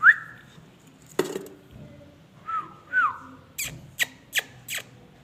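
A king parrot gives a few clear, high whistles, two of them slurring downward, then several sharp, harsh clicks in a quick run in a quiet room.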